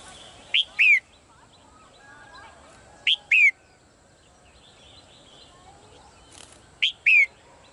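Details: Female bird in a cage repeating a short two-note whistle, a brief upslurred note then a falling one, three times at irregular intervals, with faint background twittering and a low hiss.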